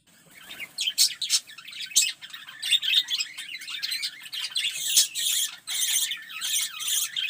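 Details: Several zebra finches in a small aviary, now carrying nest material, call over one another in a busy stream of short, high, nasal beeps and chirps, some in quick bursts.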